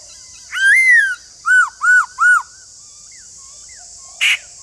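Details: White-cheeked laughingthrush singing: a long rising whistled note, then three clear arched whistles in quick succession, with a steady high hiss throughout.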